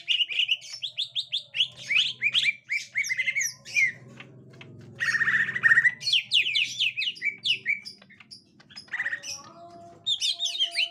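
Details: Green leafbird, a captive bird reacting on meeting a young wild one: fast bursts of loud chirping, slurred and squeaky notes in quick runs with short pauses, some faint low hum beneath.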